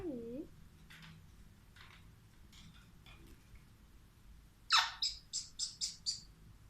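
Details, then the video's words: Caged Alexandrine parakeet talking: a few soft, speech-like murmurs, then a quick run of six loud, harsh, grating squawks, each under a second long. "Alexandrine Parrot Talking"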